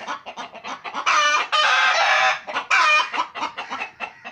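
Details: Home pet chickens giving soft quick clucks that rise into two long, loud raspy cackles, then settle back into short clucking.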